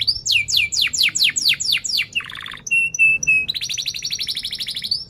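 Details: Canary in strong chirping song, used to get young or silent canaries singing: repeated loud downward-slurred notes about three per second, a low buzzy burst, pure whistled tones, then a rapid high trill.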